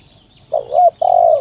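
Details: Spotted dove (tekukur tanah) lure song used to provoke rival doves into calling: two low mellow coos, the first a double note, the second a long steady falling coo.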